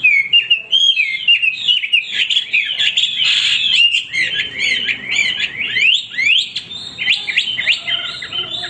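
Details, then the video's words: Loud, continuous male hwamei song of tumbling whistled notes and quick sweeping slurs, dense and varied throughout. "wambi gacor berkicau tanpa henti"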